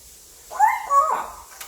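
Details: Pet male African grey parrot, five years old, kept indoors, trying out English words: one short voiced utterance of two linked tonal syllables in the mid range, over a quiet room.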